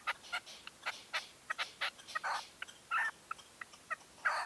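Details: At dawn in 2023, a red-legged partridge decoy at a hunting post gives irregular, harsh clucking notes with a few longer rasping phrases and brief pauses between them.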